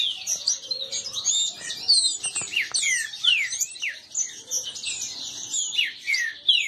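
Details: Green-winged saltators, several caged males contesting each other, fill the air with dense, jumbled whistled notes, mostly quick downward slurs, repeated loudly and continuously with faint background noise.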